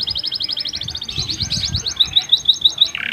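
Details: Canary singing a distinctive master song meant to stimulate breeding females: rapid high trill rising in pitch, then clipped repeated upslurred notes and a short buzzy ending.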